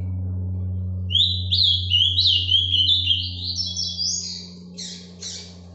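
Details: Azulão (ultramarine grosbeak) delivering the Paraná vinte vinte song live: a long chain of clear whistled notes sliding up and down, then a few buzzy chirps. A strong low electrical hum continues underneath.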